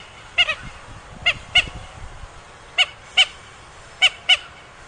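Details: Swamphen calling: short, harsh, nasal notes given in close pairs, each pair about a second apart, over a quiet background.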